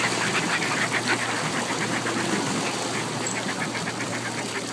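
Northern Fulmar giving harsh, guttural cackling notes in quick runs, about four a second, over a steady roar of wind and surf.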